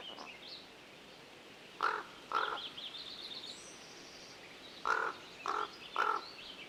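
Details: Common Raven perched in a tree above the recordist at Yuba Pass, Tahoe National Forest, California: hollow, clipped croaking notes, two close together, then three more in quick succession, with faint higher chatter between them.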